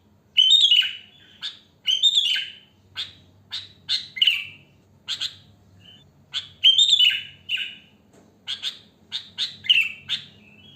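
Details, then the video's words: Sooty-headed bulbul singing in the wild, unmixed natural song used as a lure: a loose string of short, bright chirped notes and bubbly phrases, some sliding downward, delivered irregularly over about ten seconds with a faint low hum beneath. "Suara Kutilang Asli Alam Tanpa Isian Gacor"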